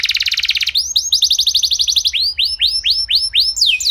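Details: Singing canary meant to spark other canaries: a fast buzzy trill, then repeated upward-curving notes, slowing to about two per second, with a high descending sweep at the end.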